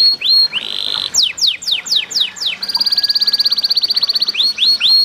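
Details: Canary song with trickling water, played to coax other canaries into singing: rising whistles, a string of quick downward sweeps, then a long rapid rolling trill and more rising notes, over steady water sound.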